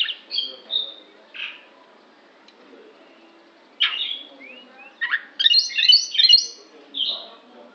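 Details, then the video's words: Oriental magpie-robin giving an unusual sound: short high whistled notes and a rising slur, a two-second pause, then harsh downward bursts and a dense burst of chattering, warbled notes, ending in one clear whistle. "kacer bunyi aneh"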